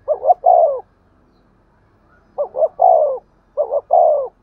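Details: Spotted dove cooing in the 'thúc gù' style for luring wild doves. One phrase, a silent gap, then two more, each a doubled hoot leading into a falling sustained coo.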